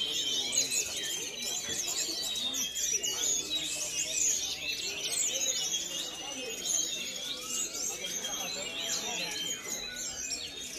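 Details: Javan whistling thrush kept in a cage, a fresh online purchase for contests, sings a long, energetic medley of piercing high chirps and rising and falling whistles, steady in loudness, with soft background noise.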